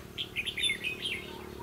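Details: Red-whiskered bulbul at a trapping site on 22 October 2016. A rapid, bubbling string of clear chirped notes runs for about a second over light background hum.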